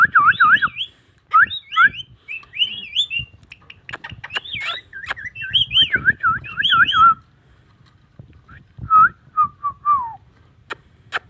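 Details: Talking Indian ringneck parakeet pours out fast warbling, yo-yoing whistles in two pitch layers for about seven seconds, then goes quieter with a few short falling whistles and scattered clicks.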